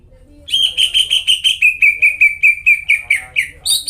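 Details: Greater green leafbird singing loudly as a lure for caged birds that have gone quiet: after a brief pause, a steady run of rapid, evenly spaced whistled notes, gradually dropping in pitch, ending in a higher squeaky burst.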